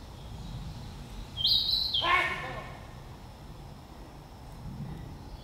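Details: Singing Narcissus flycatcher giving one quick high whistled phrase, immediately followed by a loud human sneeze, then low background rumble.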